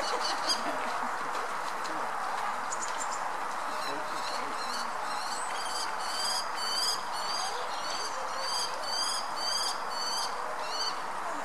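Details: European robin resting and preening, giving thin, high-pitched notes about twice a second, growing busier toward the end, over a steady rushing background noise.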